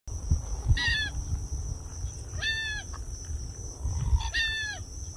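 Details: Purple gallinule at Circle B Bar Reserve, Florida, on 10 October 2021 at 9:19 AM gives three nasal, harmonic calls about every two seconds, over low rumbling noise and a steady high insect-like hum.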